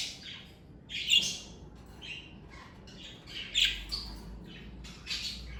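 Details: A family of pet parakeets makes spaced, high, squeaky chirps and short warbles, with a few louder sharp notes standing out over a soft, steady murmur.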